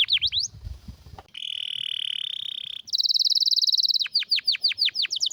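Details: Strong, rare canary song used for tutoring other canaries: a few swooping whistles, a pause, a sustained even rolling trill, a higher fast buzzy trill, then repeated down-slurred whistled notes about three per second.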